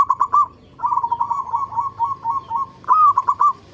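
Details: Lure recording of a local zebra dove for setting other zebra doves singing: a few quick coos, then a long, continuous, wavering stream of throaty cooing notes, closing with a loud phrase of rising hooked notes.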